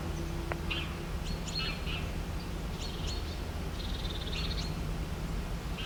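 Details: Birds singing in the morning with scattered high chirps, short buzzy trills and twittering phrases. A steady low hum and a faint brief tonal note near the start sit underneath.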